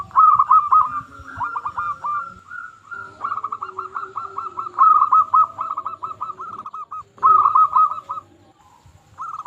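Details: Local zebra dove singing to provoke other zebra doves: quick rolling coos, then a long even series of short repeated notes and a final louder burst, with soft background noise.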